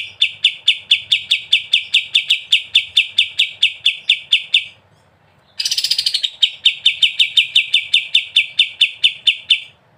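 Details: Steady, rapid repeated high notes from a sooty-headed bulbul (kapas tembak) singing in ngebren style, broken by one short pause before the fast chatter resumes.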